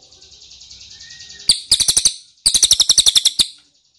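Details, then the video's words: Ashy tailorbird lure call for prompting answers: a faint, soft trill, then two bursts of loud, sharp, high chirps, about four per second, separated by a short gap. "PANCINGAN CILILIN DIJAMIN NYAHUT!!"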